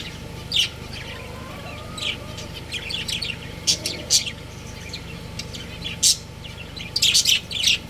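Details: Budgerigar breeding pair giving scattered shrill chirps and brief squeaks, a cluster of quick chirps near the end, with a constant low background hum.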